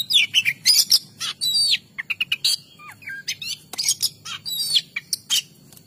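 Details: Kacer, the Oriental magpie-robin, in lively song: quick bursts of bright chirps and whistled slurs, some sweeping down then up, broken by short pauses, over a soft low hum.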